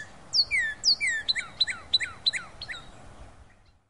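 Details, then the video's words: A northern cardinal sings in late February 2012: two long, clear downslurred whistles, then a quick run of six shorter slurred notes, about three a second, over faint background hiss. "Cardinal Singing"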